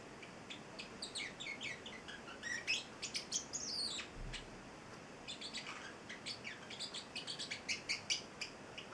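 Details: Celestial Parrotlet, an eight-week-old pet male, mixing high chirps with rising squeaky twitters and a few harsher notes, delivered in uneven bursts over faint room noise.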